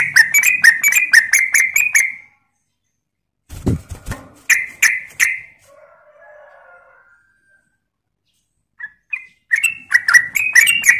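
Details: Sooty-headed bulbul (trucuk) in rapid 'ropel' lure song: a fast chattering burst, a pause, clicks and two loud notes, a faint low warble, silence, then another quick run of bright repeated notes.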